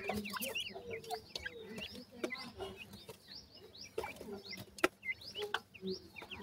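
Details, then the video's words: Sindhi teetar (francolin) chicks calling: many short, high, thin chirps, often rising or slurred, overlapping in quick irregular bursts, with scattered sharp clicks and knocks throughout. "top sindhi teetar bird k chicks,top pheasant chicks voice"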